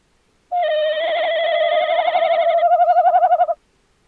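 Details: Tawny owl calling on 11 January 2026: one long, steady quavering note lasting about three seconds, its wavering growing stronger toward the end, then silence.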